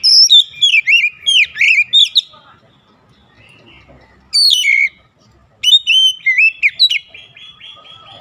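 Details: Song of an Oriental magpie-robin, used to work up a magpie-robin's emotions: quick series of loud looping whistles, a pause, a single bright phrase, then another fast whistled burst fading into soft twitters.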